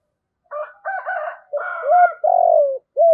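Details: A decoy spotted dove in the 'giọng thổ' style coos while a higher, rougher second voice overlaps the first half. The phrase ends in a long raspy falling coo and a clear arched note.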